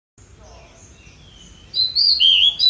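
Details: Pied bushchat singing energetically; after quiet background, a loud phrase of high, sweet, slurred whistles bursts in during the final second.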